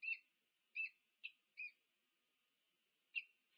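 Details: Peregrine falcon pair meeting at a nest on the UC Berkeley campus, USA, filmed by a nest cam on 2 November 2022; five short, clipped, harmonic chirping notes with uneven gaps, otherwise quiet.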